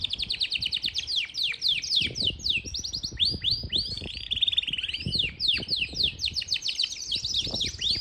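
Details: Powerful song of a Yorkshire canary from Parachinar, dense fast trills of repeated slurred notes with a brief rattling passage midway, sustained for the whole stretch.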